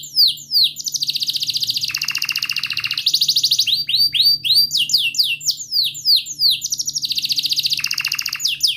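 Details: Canary song meant to draw a silent canary or young learner into song: quick falling whistles, long steady rolls, and repeated drops into a lower rattling trill, all high and continuous.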